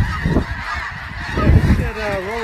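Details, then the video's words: A short burst of snow goose flock chatter, dense nasal honking with a few clearer, wavering, lower calls at the end, over wind rumble. "Snow Geese"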